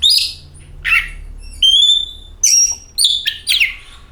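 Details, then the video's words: Oriental magpie-robin song used to coax magpie-robins into singing: a raspy note, then pure drawn-out whistles and a quick burst of rising, chattering notes, all within a few seconds. "Pancingan Kacer"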